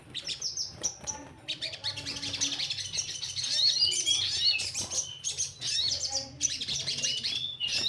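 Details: Orange-headed thrush song, played as a lure so that other birds sing more often: a dense, continuous run of high, varied whistles, rapid chirps and trills with quick pitch jumps, over a faint low hum.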